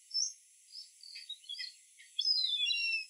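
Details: Indian grey hornbill with high, thin squealing notes, first scattered and rising and falling, then a loud run of overlapping descending whistles near the end, over a steady faint high hiss.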